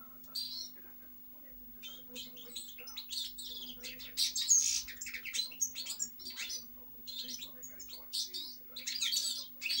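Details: Song of a European goldfinch: a quiet start building into a lively, jangling run of high chirps, trills and metallic notes, with a faint constant hum underneath.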